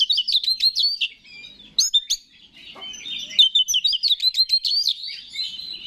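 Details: Singing Oriental magpie-robin meant to provoke rival males into song: fast repeated chattering notes, a pause with two sharp upward calls, then a long run of rapid varied twitters and whistles.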